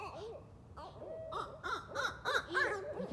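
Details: Barred Owls flying and bouncing back and forth at night, four to eight birds caterwauling: loud, harsh, overlapping arched cries in rapid bursts, rising in intensity toward the end, rich in raspy overtones.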